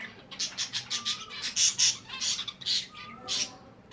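Finches chatter with quick, high, scratchy chirps, several each second and overlapping, with a faint low whistle running beneath.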